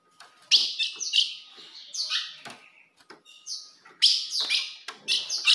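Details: Ultramarine grosbeak female calling to provoke a male: dense, bright chips and falling slurs in two busy bursts, with a faint steady hum in the background.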